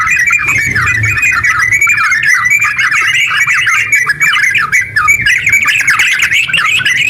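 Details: Rapid ngeropel singing of sooty-headed bulbul, played to urge other bulbuls to sing: flowing chain of quick up-and-down warbled notes, steady and dense, a low hum briefly audible near the start.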